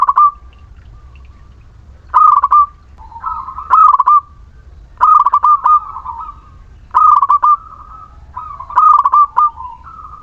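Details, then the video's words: Local Muria zebra dove singing vigorously as a lure for reluctant, unmotivated doves: stuttering bursts of soft rolling coos, each ending in a drawn-out mellow note, repeated about every one and a half seconds. "Perkutut lokal Muria gacor pancingan setiap waktu perkutut malas bunyi"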